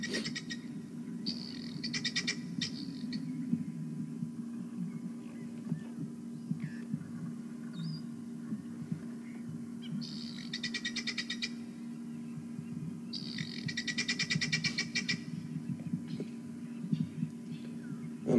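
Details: Helmeted guineafowl on a morning safari give harsh, rapid 'ch-ch-ch' alarm rattles in bursts, warning at the sight of lions.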